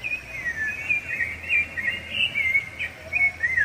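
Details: Rufous-bellied thrush song for territory and attracting the female: quick warbled and slurred whistled notes in a continuous phrase, somewhat softer against a background hiss and low hum.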